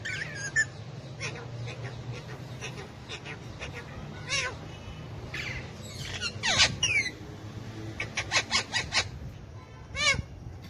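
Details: Hand-tame pet Alexandrine parakeet talking in Urdu/Hindi alongside ringneck parakeets; speech-like chattering syllables mixed with harsh squawks and sharp clicks, busier toward the end, over a steady low hum.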